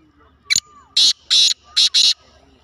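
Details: A black francolin gives a sharp opening click, then four loud, harsh, grating notes in quick succession, with a faint whistled note in the background.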